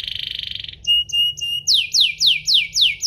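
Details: Domestic canary singing to provoke rival canaries: a buzzy rapid trill, three clear level whistled notes, then a series of loud, repeated falling sweeps roughly every third of a second.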